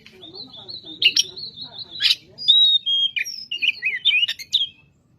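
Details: Energetic Oriental magpie-robin song, meant to provoke other magpie-robins. Sustained high whistles are broken by two loud rasping bursts, then a run of quick, rising and falling twittered notes over a soft low hum.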